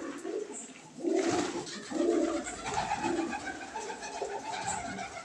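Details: Crested, feather-footed fancy pigeons of a Surat type, a lot of 80 kept indoors, cooing in low rolling phrases about once a second, three clear coos in a row over faint room noise.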